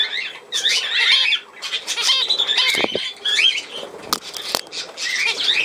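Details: Budgerigar chatter, dated 17 November 2024, with scratchy twittering, short whistles and several sharp clicks or taps in the background.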